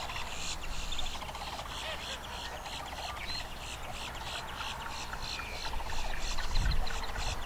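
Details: Long-billed dowitchers recorded up close at the Celery Fields in Sarasota, Florida: a rapid run of short, high, sharp notes repeating about four times a second over a steady low rumble of background noise.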